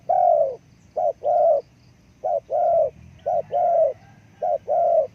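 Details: Spotted dove giving repeated cooing phrases, a short low coo followed by a longer drawn-out coo, each pair about a second apart, clear over faint background hum.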